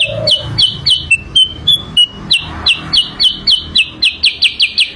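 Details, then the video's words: Sooty-headed bulbul song used as a lure: a fast series of bright, downslurred whistled notes, about four per second, briefly slowing into longer level whistles mid-phrase before speeding up again. "kicau pikat burung kutilang sutra"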